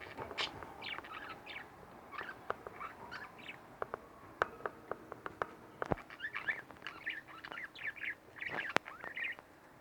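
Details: Two pet budgies give soft warbling twitters and scattered sharp clicks, a loose, unhurried chatter with short rising and falling notes spread across the recording.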